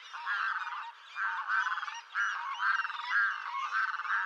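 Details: Rapid, gabbling nasal calls of a red-throated diver, throaty pulses grouped into bursts about once a second, fairly loud and continuous with short breaks.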